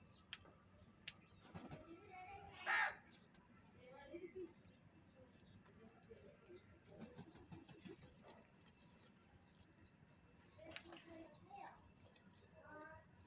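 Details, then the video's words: A single loud, rasping caw from a crow at a winter feeding spot bursts out early, followed by quieter scattered bird notes and clicks against a low background rumble. "Crow Sounds - Best HD Crow Video of cowing for foods and Crowing | Crow food in winter"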